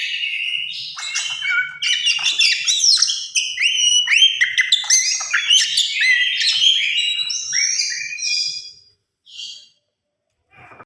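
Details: Tame oriental magpie-robin in full song: a rapid jumble of whistled notes, upslurs and buzzy trills for about nine seconds, then a brief final note and near silence.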